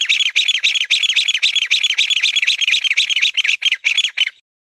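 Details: Mountain bamboo partridge giving a long, steady series of loud, harsh notes, about four per second for over four seconds, then stopping abruptly; no other sounds.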